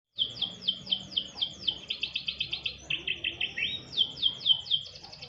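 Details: Canary singing while being put out for a light sunbathe: rapid tours of repeated high downslurred chirps, shifting to a fast buzzy trill, then a lower rolling phrase and back to bright repeated notes, about four per second.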